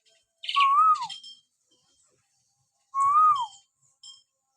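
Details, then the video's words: Common hill myna with natural whistles used to provoke pet mynas: two clear, loud whistles that rise then fall, about two and a half seconds apart, each with a faint rasp. "masteran burung beo suara siulan alami"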